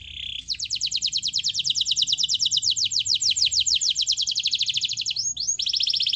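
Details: Lure song of a gacor canary meant to start a silent canary singing: a brief buzzy note opens a long, fast, steady trill of high repeated notes lasting several seconds, ending with a couple of swoops.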